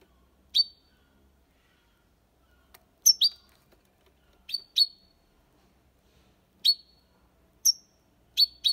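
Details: European goldfinch singing the copia Málaga song style, used to stimulate young birds to sing: short bright chirps with thin ringing whistled tails, single or paired, spaced irregularly over a quiet background.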